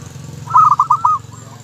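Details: Local zebra dove giving one brief phrase of about six quick, rolling, pulsed coos, with a low rumbling hum underneath.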